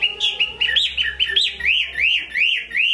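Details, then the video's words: Chinese hwamei singing well in Hải Phòng, Vietnam: a run of loud arched whistles, each rising then falling, repeated about three to four times a second in a steady, ringing series. "Họa mi hót tốt"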